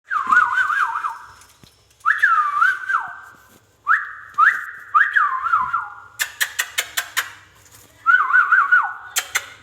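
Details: Pet ringneck parakeet giving clear whistled phrases, each a rising note then a wavering, warbled tune that falls away, repeated about every two seconds, with a burst of sharp clicks midway.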